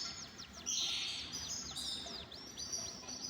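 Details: Canaries in an aviary while eating boiled egg: many high thin whistled notes, quick downward slurs and sweeps overlapping, with a steady bright trill mid-clip.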